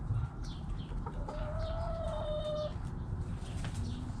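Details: Backyard chickens, hens and roosters: a long, steady, nasal note of about a second and a half with a rising lead-in, a few short clucks around it, high descending chirps of small birds, and a low rumble of background noise.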